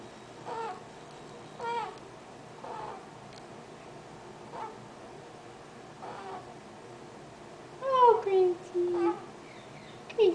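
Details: Pet Eclectus parrot cooing softly: gentle, tonal, slightly wavering notes spaced a second or two apart, growing into a short cluster of louder falling coos near the end, in a quiet room.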